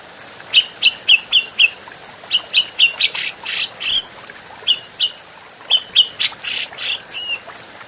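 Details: Adult grey-cheeked bulbul in a master track for teaching other birds: clusters of crisp chips broken by harsh raspy bursts and a few rising, wavering whistles.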